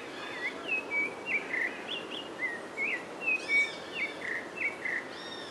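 Rufous-bellied Thrush singing a steady run of clear, fluting whistled phrases, a few each second, with some higher chirps from another bird and soft background hiss.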